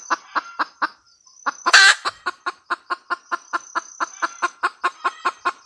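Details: Female red junglefowl cackle, a long steady series of short clucking notes about four per second with one loud rasping squawk early on; constant thin insect hum in the background.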